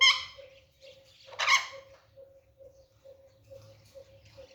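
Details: Caged green Alexandrine parakeet playing in a jolly mood gives two harsh, raspy squawks, one at the start and a louder one after about a second. Soft regular ticking and a faint low hum sit underneath.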